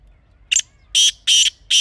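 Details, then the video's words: Black francolin from Pakistan recorded in natural surroundings for hunting use. A short sharp note is followed by three loud, harsh, buzzy bursts spaced about a third of a second apart. The recording is heavily clipped and otherwise silent. "Real Kala Teetar Sound"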